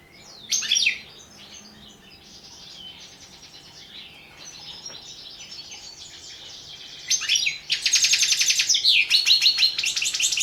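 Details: European goldfinch competition song recorded for a 2017 online world championship: an opening twittering burst, a stretch of softer buzzy chatter, then a loud, fast, rattling and tinkling run of notes.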